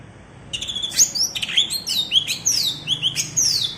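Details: Bebeci-style song of a cucak ijo (green leafbird) from Alas Purwo in Banyuwangi, a type sought by songbird keepers: rapid, lively sequence of high whistled slurs and steep downward sweeps, delivered almost without pause.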